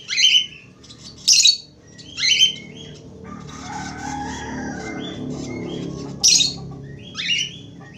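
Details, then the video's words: Budgerigar whistling song of scratchy chirps and short whistles, several loud bursts spread across the clip, over a soft hazy murmur in the middle. "SUARA SIULAN BURUNG PARKIT AUSTRALI / FALK AUSTRALI GACOR"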